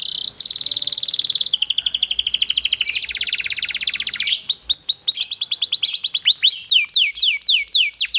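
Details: Atlantic canary in a cage, long rolling song used to coax other canaries to sing: a fast buzzing trill of very rapid notes, changing into loud high whistles that sweep downward and then curve up.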